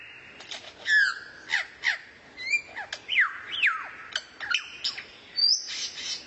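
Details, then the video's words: Training song for White-rumped shama (kacer) featuring rare-bird material: lively run of sharp chips and swooping whistled notes, some dropping and some rising, repeated about every half second, ending in a higher rising whistle. "MASTERAN BURUNG LANGKA YANG BISA JADI SENJATA PAMUNGKAS BURUNG KACER"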